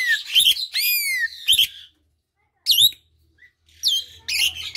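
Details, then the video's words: Asian pied starling singing, a recording meant to provoke silent birds to respond. Harsh chattering notes alternate with loud, downslurred whistles in several phrases, broken by silent gaps. "Jalak suren yang diam coba pancing dengan suara ini"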